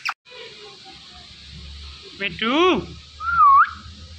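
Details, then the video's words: Indian ringneck parakeet, a pet talking parrot, producing a loud harmonic-rich speech-like phrase with falling notes followed by a rising whistled note, over steady low room hum. "The Best Talking Ringneck Talking Parrot"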